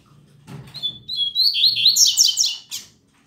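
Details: Double-collared seedeater singing on a Saturday morning; the bird sings a lot, though its song is still weak. A fast, buzzy phrase of slurred high notes rises into a dense trill, then stops abruptly, with faint low background noise.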